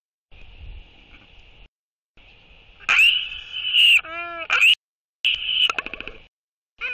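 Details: Royal albatrosses at a breeding site during a courtship interaction between two birds: bursts of harsh braying calls and a short arching moan, broken by silent gaps, over a constant high wind hiss.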